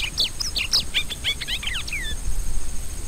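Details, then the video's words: Rusty-collared seedeater delivering a rapid string of varied chirps and slurred whistles lasting about two seconds, followed by a brief hush over a constant faint hiss. "CANTO DO COLEIRO DO BREJO"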